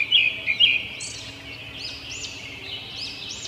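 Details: Robin chirping: a few sharp, loud staccato notes open the sequence, followed by softer, high arching chirps repeated at irregular intervals over faint steady hiss.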